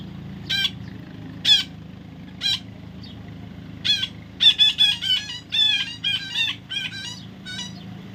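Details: Baby parrot calling with rough, nasal squawks, first spaced about a second apart, then quickening into a rapid run of about ten harsh calls.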